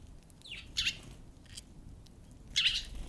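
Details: A wild Eurasian tree sparrow, the first to visit on 13 February, gives two short bright chirps about two seconds apart, led by a quick descending note, over faint low background rumble.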